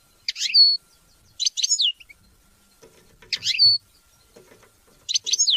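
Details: Short, sharp European goldfinch phrases, each a quick twitter dropping into a slurred whistle, come four times at irregular intervals; the song is meant to teach and motivate hunting and mating.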